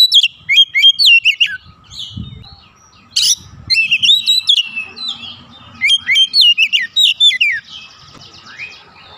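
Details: An agitated Oriental magpie-robin (kacer) spills out its isian: rapid strings of sharp, clipped whistles and chirps in repeated bursts, a brief clatter of background noise, and a faint steady hum.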